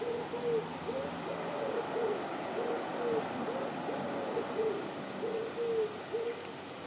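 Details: Canada geese on the South Pond in Midhurst, West Sussex, England: a run of short nasal honks, each briefly rising then falling, about a dozen in seven seconds over a steady background hiss.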